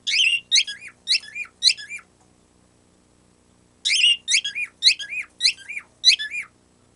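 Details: Pet bird making its cute, untaught squeaky noise: four piercing squeaks in quick succession, a pause of about two seconds, then five more with the same sharp up-down shape.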